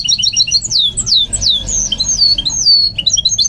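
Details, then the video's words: Goldfinch mule under song training, singing a run of short high chirps followed by loud, sweeping downward whistles and then more chirps, with a faint low hum underneath. "What I Learned from Training My GOLDFINCH Mule to Sing"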